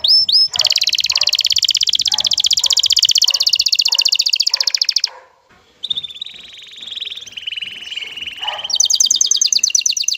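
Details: Excited male canary singing to a female to bring her into mating posture: a long fast buzzy trill of rapid repeated notes, a short pause, then a lower gliding warble and a final high rattling trill.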